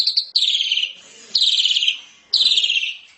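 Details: Asian pied starling chatter from a training recording: three harsh, pulsing, buzzy phrases about a second apart, each starting high and sliding slightly lower.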